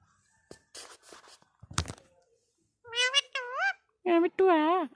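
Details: Indian ringneck parrot talking indoors: human speech at first, then several loud, harmonic, wavering voice-like notes that rise and fall, grouped in two short bursts.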